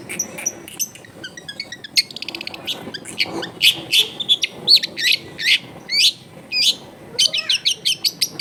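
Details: Long-tailed shrike song, taken at a house in a densely populated neighbourhood and meant to prompt a reluctant bird to sing. Fast ticking trills give way to loud, high, scratchy phrases repeated in quick succession over background noise.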